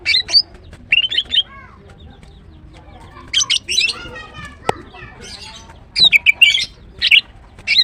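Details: Female greater green leafbird (green cucak) singing in the morning, giving high chattering phrases and quick whistled slurs in several bursts separated by short silences, with a lower harmonic sound in the middle.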